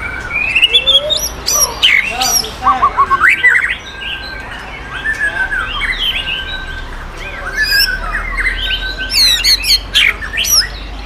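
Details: White-rumped shama of Sumatran, forest-bred stock, a contest champion, singing at a bird-song competition ring in Bengkulu: loud varied whistles, sharp upslurs and quick chattering notes, with overlapping birdsong around it.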